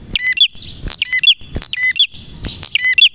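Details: Male prenjak merah in energetic 'nembak' song: rapid paired bursts of sharp bright chirps, several each second, over a constant high tone and light clicks.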